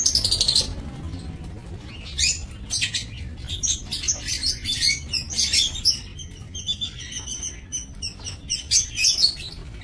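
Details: Several lovebirds in a breeding aviary, 22 November 2024. A loud, shrill opening call is followed by nearly continuous, busy high chirping and twittering in overlapping bursts throughout, over a low hum.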